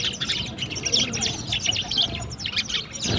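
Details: Several sparrows chirping together in the morning while playing with water: dense, high, rapid tweets and chips overlapping throughout, with faint low background rumble.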